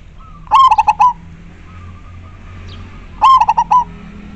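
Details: Local Indonesian zebra dove singing very clearly in majapahit style: two phrases about three seconds apart, each a faint lead note then a strong coo breaking into rapid rolling notes.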